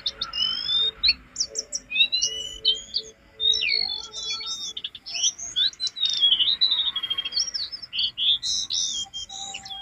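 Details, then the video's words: Training master of jongkangan song for caged birds: long, energetic stream of high, varied chirps, slurs and buzzy notes, packed tightly with few breaks. "Masteran jongkangan gacor isian"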